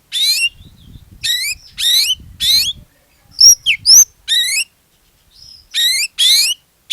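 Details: Oriental magpie-robin in gacor song as a lure for other magpie-robins: repeated harsh buzzy rasps, about two per second, broken by a few clear rising whistles.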